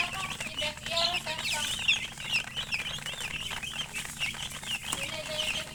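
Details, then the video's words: Chicks of domestic chicken chirping together, a busy chorus of shrill wavering peeps repeated rapidly and irregularly, some louder bursts near the start, faint low background rumble. "Murgi chicks Chirping sounds"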